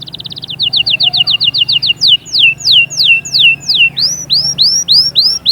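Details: Canary song for stimulating chicks and females: a fast run of short whistles, then slower loud descending slurs, finishing with rising upswept whistled notes, over a faint low hum.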